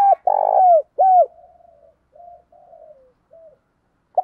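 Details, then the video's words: Spotted dove gives one loud cooing phrase of two or three deep, mellow notes, then trailing soft low hums and murmurs, with the start of another coo at the close. "Tiếng chim cu gáy đẹp mã hót rất hay"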